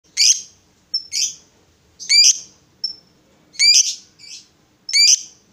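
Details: Female fighter lovebird, used to provoke rival lovebirds. Harsh, high chirping squawks come in separate bursts about once a second, some with a short thin note before them. The background is quiet.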